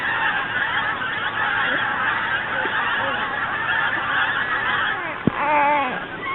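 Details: Geese passing south in early winter, a dense chorus of honking from a flock, with a sharp click and a nearby human voice breaking in toward the end.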